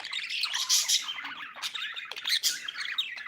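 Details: Pet budgie chattering nonstop, a busy stream of high, buzzy chirps and short squawky notes without any break.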